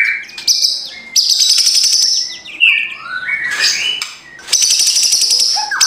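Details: White-rumped shama morning lure song meant to provoke a lazy bird: sweet whistled slides and twisting phrases over a sustained high thin tone with dense ticking chatter behind.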